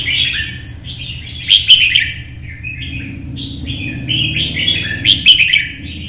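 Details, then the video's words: Red-whiskered bulbul, kept caged for singing contests in Vietnam, in morning sun while hopping across perches: an almost unbroken stream of bright, liquid warbling, with sharp accented chirps near the start and end, over a low background hum. "CHÀO MÀO | Nắng sớm solo chạy cầu hót đấu kích chim"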